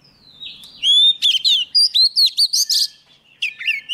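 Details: Oriental magpie-robin, a young bird, in lively song as a wild bird approaches. A slurred whistle leads into a quick series of clear, sweet notes with rising and falling inflections, then a short whistled phrase.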